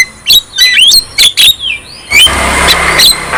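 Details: Energetic Javan myna song: shrill whistled notes sliding up and down mixed with scratchy rasps, followed by a burst of harsh hissing noise.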